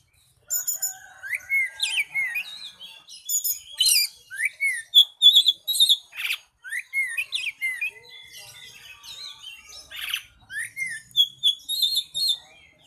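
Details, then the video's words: Oriental magpie-robin (kacer) in long varied song: after a brief silence, quick sequences of rising slurred whistles, sharp high chips and scratchy buzzy bursts, delivered in short clustered phrases with tiny pauses, for about twelve seconds. "Nyeting burung kacer"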